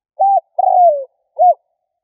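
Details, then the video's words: One full spotted dove coo phrase, played as a provoking lure: short arched note, extended rough coo gliding downward, short hooked final note, all low and clear in silence. "Tiếng chim cu gáy kích bổi"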